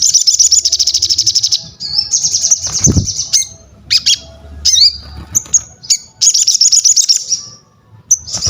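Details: Crested jay in full song used to train other birds, opening with a fast buzzy rattle, then high whistles, sharp clicks and slurred notes, over a low hum.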